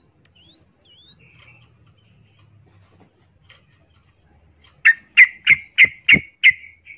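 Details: Female yellow-vented bulbul in breeding condition calling a male: three thin upslurred whistles, faint murmurs, then a run of six loud, sharp chirps about a third of a second apart.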